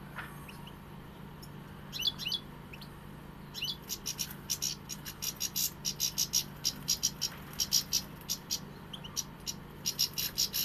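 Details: European goldfinch song: a fast series of short, high, clicking and tinkling notes in uneven bursts, growing denser and more continuous toward the end, over a steady low hum.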